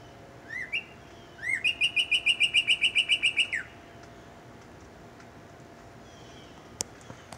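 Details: A male Northern Cardinal sings its morning song: two clear upslurred whistles, then a rapid run of about a dozen bright, even notes; a few faint clicks follow in the quiet.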